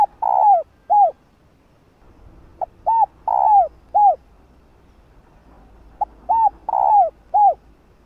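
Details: Female spotted dove calling a male with three repeated cooing phrases, each made of short hooked notes and one fuller, sustained coo falling at the end, delivered at a steady unhurried pace in a calm setting.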